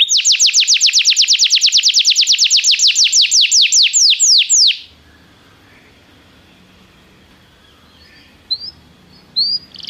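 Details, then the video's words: Belgian canary song from a training session: about five seconds of rapid repeated high notes that gradually slow into separate downward sweeps, then silence with a few soft chips. "Estimulação para que o seu canário cante com diligência - o melhor treino para canário belga"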